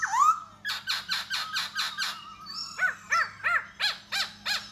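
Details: A laughingthrush of the khướu da bò type sings while dancing to attract a female: one swooping whistle, a run of about seven harsh chattering notes, a short level whistle, then evenly repeated arched whistles roughly three per second.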